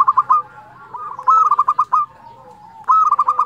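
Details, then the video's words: Fluting-voiced local zebra dove singing without pause, used to prompt silent or stressed doves; quick bursts of clipped, pulsed coos repeated roughly every one and a half seconds, trailing into a soft hum. "perkutut lokal gacor suara nyuling"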